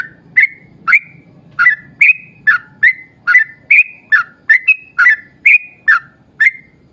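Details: An energetic yellow-vented bulbul delivers a long 'ropel' burst meant to prompt other bulbuls into song: a dense chain of about fifteen clear chirped notes, each sliding down and flattening, over a soft background hum.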